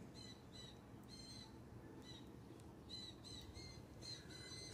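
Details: A juvenile Blue Jay, about two months old, at a yard seed feeder with its parent nearby, gives loud, harsh, squawking calls in short bursts every half-second or so, over a steady low outdoor rumble.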